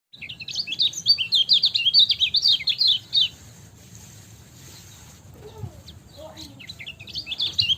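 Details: Lemon-bellied white-eye in energetic ciak-style song: a fast, jumbled run of high, sharp chirps and twitters for about three seconds, a quiet pause with a few lower notes, then the twittering resumes at the end.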